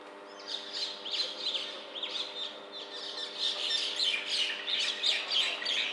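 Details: Common mynas in Bangalore chatter harshly as they fight, perhaps over territory or a partner, giving rapid, squawking, grating notes about three a second that build louder over a faint steady hum.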